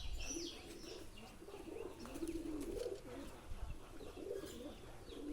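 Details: Domestic pigeons, filmed for a lesson on telling males from females, give low, soft cooing phrases. They rise and fall in several drawn-out bursts over a constant rumbling background noise.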